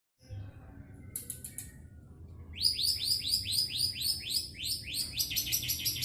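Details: Long-tailed shrike (cendet), a caged bird with darker than usual plumage, singing with fresh feathers just after moulting, in Jombang, East Java, Indonesia; after a soft start, a fast series of harsh, high descending notes repeated about twice a second.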